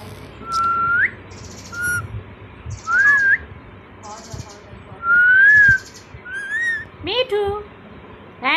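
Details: Indoors, a pet Indian ringneck parakeet coaxed by its owner gives a series of pure whistled notes, each rising or arching, repeated at uneven intervals, ending in harsher broken squawky calls, with quiet voice and room noise.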